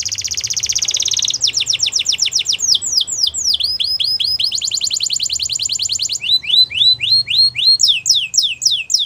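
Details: Belgian canary (Serinus canaria domestica) song: fast, high trills shifting between rapid buzzy rolls and sweeping downslurred whistles, several phrases repeated at a brisk pace.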